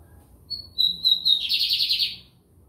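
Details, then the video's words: Song of a lined seedeater (bigodinho) recorded in São Luís, Maranhão, Brazil: brief high whistles rise into a sustained piercing note, then a dry fast buzzing trill of about half a second, with quiet background. "BIGODINHO AMERICANO / 15 MINUTOS SÓ DE CANTO"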